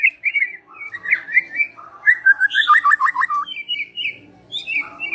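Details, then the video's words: Evening lure song of a white-rumped shama, a rich run of fluted whistles and rapid wavering warbles, phrases changing every second or so, with soft background hum. "Suara PEMIKAT SORE PETANG MURAI Batu"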